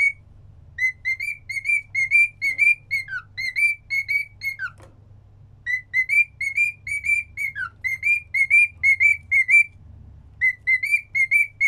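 A cockatiel whistles a repeated tune of clear, slightly rising notes in short phrases.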